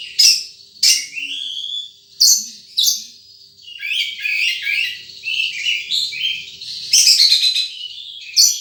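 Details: Wild sunbird singing sharp explosive high chips at irregular intervals, followed by a long jumble of fast twittering and warbled notes, ending in a loud buzzy burst.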